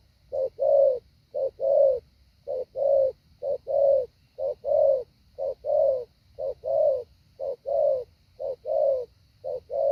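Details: Spotted dove decoy bird in training, practicing the well-structured 'hạ bổi' call: low hoarse coos in paired short-then-long notes, about one note per second, steady and unbroken throughout, over a faint low hum.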